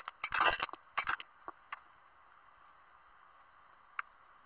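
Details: Five barn owl chicks in California giving harsh, broadband hissing screeches, a burst of several rasping hisses in the first second, then shorter isolated hisses, one more near the end against a quiet background.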